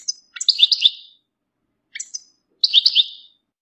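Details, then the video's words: Bitbita mating and readiness calls of the European goldfinch, meant to bring males out of moult into song: repeated high whistled notes leading into buzzy, rolling twitter phrases, given twice. "بتبتة رائعة لتحفيز الحسون على الخروج من غيار الريش بسرعة"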